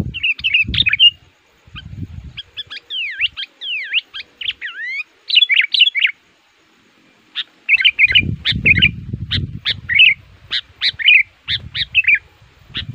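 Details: Aggressive sooty-headed bulbul lure bird for attracting wild males in the forest: bubbly phrases, a series of clean whistled slurs, then bursts of rapid chattering chirps, with low rumbling noise in places.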